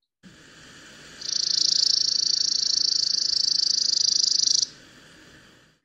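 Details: A Chipping Sparrow in May at Victoria, Vancouver Island, a breeding species of Garry oak meadows and dry open woodland, sings a long, dry, high-pitched, insect-like trill of rapid even notes lasting about three seconds, over faint hiss.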